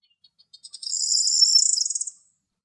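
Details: A corn bunting sings in natural habitat in Greece: a few spaced, high ticks speed up into a dry, shimmering jangle like shaken keys, lasting about two seconds. No other sounds.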